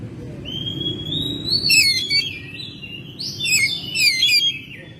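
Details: Oriental magpie-robin, kept at home, singing in May: a clear whistle rising steadily in pitch, broken by rapid descending trills, then another bright whistled phrase with tumbling notes, over faint low hum.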